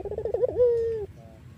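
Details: Iraqi-variety collared dove, sung to draw other doves: the tail of a wavering rolled trill runs into a sustained, gently falling coo, followed by a faint softer echoing note.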